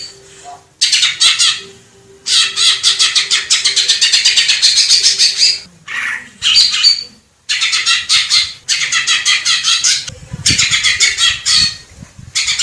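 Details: Clear masteran song of a wild greater green leafbird from Indonesia: long bursts of harsh, buzzy chattering broken by short silences, with a faint steady low hum beneath.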